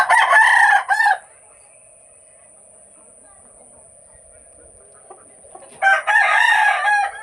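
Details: Newly arrived desi chickens on a farm in Odisha: a rooster's crow ends at the start, then about five seconds of near silence with a constant hum, then another loud, rough, drawn-out crow that is still going at the end.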